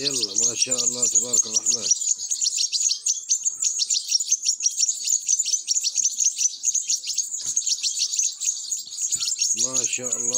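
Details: Nestling European goldfinches calling as they are fed, a busy stream of shrill, fast-repeated squeaky chirps, opening and closing with a low droning harmonic hum.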